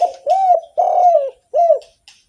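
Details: Spotted dove in lively song for luring other doves: a run of four low coos, the long middle notes slightly falling and the last one arched, ending with a faint brief note.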